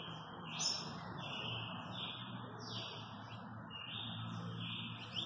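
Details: Double-collared seedeater in fast 'velocista' style from Guarujá repeats high, slightly descending buzzy whistles about once a second, set against a constant broad hiss of background noise.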